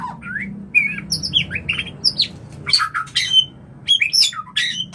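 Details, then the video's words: White-rumped shama breeding song, used as a daily lure to raise other shamas' breeding urge: varied short whistled phrases, some rising and some falling, in quick changing bursts over a low steady hum. "Pancingan Harian Murai Batu untuk menaikan Birahi Biar langsung Kawin"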